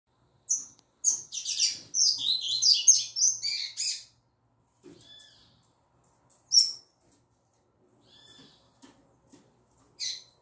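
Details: Female double-collared seedeater singing in the tui tui zel zel style: a fast jumbled burst of high, buzzy chirps for about three seconds, then a few separate sharp chips with pauses between them.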